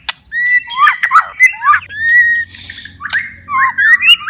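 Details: White-rumped shama, a kept bird, singing rapid varied phrases: pure whistles, sharp downslurred notes and clicks, with a soft buzzing noise in the middle.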